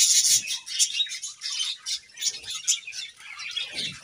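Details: Pet budgerigars bathing and playing among wet leaves on a hot day, giving a dense stream of high, scratchy chirps and twitters with no pause, over soft rustling and splashing.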